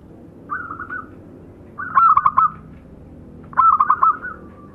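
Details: Male and female local zebra doves singing three phrases: a soft trembling coo, then two louder bursts of quick clipped notes trailing into sustained humming tones, against low background noise.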